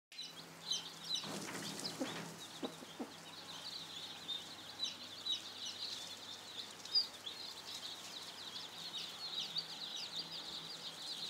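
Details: Commercial desi chicken chicks at a farm in Burdwan, West Bengal; a dense chorus of high, thin peeping from many chicks runs throughout, over a steady low machine hum, with a few knocks and thumps early on.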